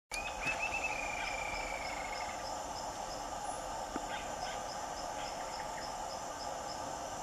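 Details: A Bluish-fronted Jacamar in the lowlands at Amazonia Lodge, Manu National Park, gives a single thin, high whistle that slides gently downward, over a steady insect drone and quick, regular high ticking.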